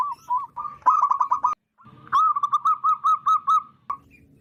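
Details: Zebra dove of wild local stock, loud-calling for use as a trapping lure. A fast bubbling burst, a brief pause, then about nine evenly spaced cooing notes ending in a soft trailing note.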